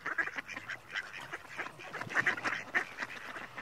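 Mallard calls: a run of short, nasal quacks and chattering notes in quick, irregular succession, several birds overlapping, with no other clear sounds.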